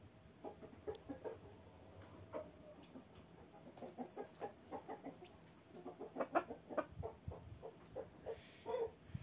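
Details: Chickens out walking in falling snow, giving soft, quiet clucks in irregular bursts, with scattered short notes building slightly toward the end.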